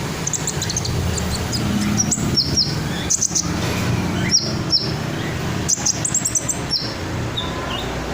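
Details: Red sunbird singing in ngobra style for training other songbirds: many bright, high, clipped notes and sweeping chirps given in quick irregular bursts, repeated across the clip above a low rumbling background.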